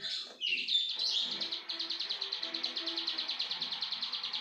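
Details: Plain prinia in energetic song: a few sharp opening chips, then a steady, rapid train of buzzy, ticking notes repeated roughly three times per second, with soft background chirping.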